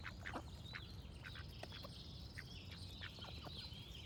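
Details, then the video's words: Short nasal duck quacks come in scattered bursts while other birds keep up high whistles and trills, with a low steady rumble. "Cute Duck Quack Sound Effect with Birds Singing"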